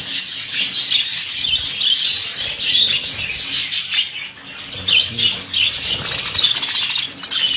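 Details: Budgerigars chatter in a group, with high chirps, scratchy squawks and a few rising whistled notes over the constant flock twitter.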